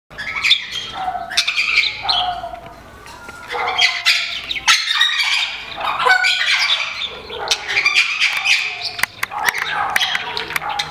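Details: Great-tailed grackle visiting a garden in the northern zone of Nezahualcóyotl, State of Mexico, giving a dense, varied run of harsh squawks, sharp clicks and high whistled notes in bursts, with brief quieter gaps between phrases.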